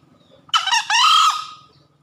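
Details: After heavy rain, a green junglefowl in breeding condition gives a single loud crow: a harsh broken first syllable, a brief gap, then a long hoarse note tapering off over faint low background rumble.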